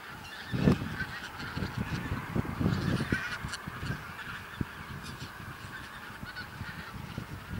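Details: Bean Geese by the thousand in a Texel field, Netherlands, 22-11-2014, half of them flying off: loud honking babble with a few nearer calls at the start, then steadier chatter over wind rumble.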